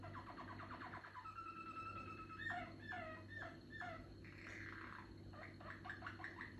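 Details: Song of a young Malinois canary, still forming. Quick repeated note trills lead into a long level whistle, then choppy rolling tours and bursts of rapid notes, all fairly soft against a steady background hum.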